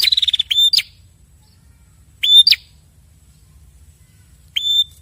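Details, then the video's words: Prenjak kepala merah prinias, a male and a female calling back and forth. Three short bursts well apart: rapid ticks into a flat high whistle with sharp rising flicks. Long quiet gaps between bursts, faint low rumble underneath. "Suara Burung Prenjak kepala merah jantan dan betina bersahutan"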